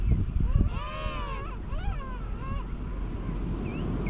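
A penguin gives a loud, harmonic braying call in a few swelling, wavering notes over about two seconds, against heavy wind rumble.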